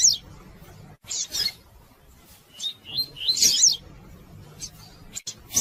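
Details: Female double-collared seedeater calling to stimulate males to sing: scattered high, sharp chirps and brief twittering notes over a soft hiss, the loudest cluster near the middle.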